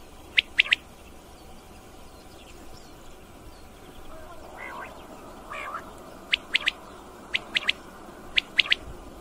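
Common quail giving four sharp, liquid three-note phrases, 'wet-my-lips', about a second apart, with fainter lower calls and steady background hiss.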